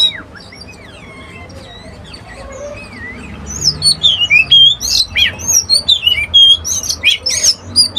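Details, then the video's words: An Oriental magpie-robin sings a varied run of loud, rich whistles that sweep up and down at several phrases per second, with softer whistles before the louder bursts. "Original sound of Magpie Robin"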